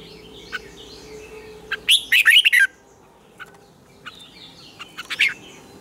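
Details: Red-whiskered bulbul morning song, in the double-note, twisted, taut style, used as a lure recording to train other bulbuls: one loud warbled phrase of quick slurred notes, then scattered short chirps over a faint steady hum.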